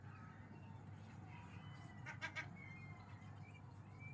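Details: Gull giving a brief, harsh, layered call burst near the middle, with faint thin whistled notes before and after it over a steady low hum.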